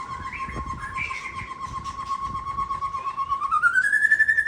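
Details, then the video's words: White-rumped shama of the Aceh type singing a bursting song full of fill-ins: a long, steady, fast-pulsed trill at mid pitch, briefly stepping higher early on, then gliding upward and holding a higher buzzing trill at the end. "Murai Aceh SMBF Sembur Isian Gawat"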